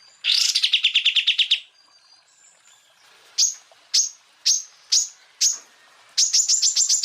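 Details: Greater green leafbird, tutor recording of full tembakan song bursts: a buzzy rapid rattle, then five separate sharp high descending chips spaced about half a second apart, then a fast high rattle begins.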